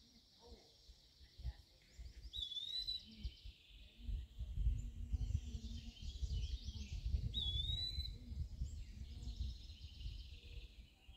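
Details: Eastern wood-pewee singing its slurred pee-a-wee while perched on a dead mid-canopy branch at Point Pelee National Park, Ontario, sallying out after insects between songs: two clear, high, upslurred whistles about five seconds apart, with wind and other birds.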